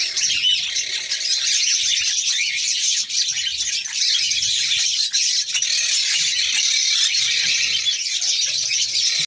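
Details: A red-crowned parakeet (New Zealand kakariki) female that is ready to mate keeps up a continuous rasping, high-pitched chatter, with a few short dips and brief squeals through the stream.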